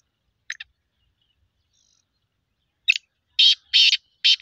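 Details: After brief scratchy notes and a pause, a black francolin launches into loud rasping, harsh bursts repeated in quick succession.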